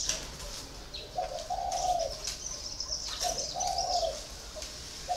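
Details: Caged spotted dove, kept four years in its cage, giving low hollow coos in two-part phrases, repeated about every two seconds, while high thin chirps of other birds run steadily in the background.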